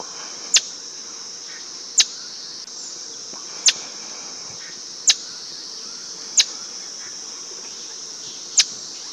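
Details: At a village lodge in Uttarakhand, India, in January 2020, a scaly-breasted cupwing gives single very high, sharp notes about every one to two seconds, over a steady hiss of insects.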